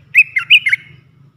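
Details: Olive-winged bulbul, three-phrase song style used as a lure for wild birds. A loud, rich phrase of four rapid, bubbling, whistled notes lasts under a second over a faint low hum.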